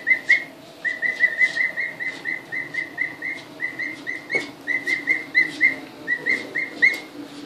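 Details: Newly arrived emu chicks, two weeks old, first seeing the house in February 2013: a steady chain of short, level whistled pips repeated several times a second, over faint background hum.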